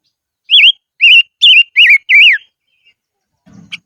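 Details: Silver-eared mesia decoy bird singing in the highlands: five loud, clear whistled notes, each a wavering up-and-down slur, given about half a second apart, followed by a faint click.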